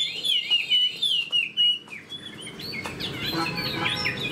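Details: Chinese hwamei kept in a cage, opening with a bright sequence of slurred whistles, then softer, scattered chirps and jumbled notes over background noise.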